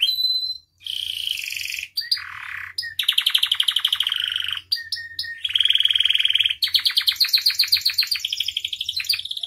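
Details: Canary in full, varied song for training other birds, mixing rapid pulsed rolls, harsh buzzy trills and clear whistled notes in quick alternating sections, loud and nearly continuous.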